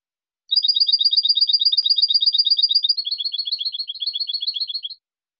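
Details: Silvestrismo goldfinch song: a continuous, quick-fire chain of bright paired chirps for about four and a half seconds, its second half a little quieter and lower, with a clean silent background.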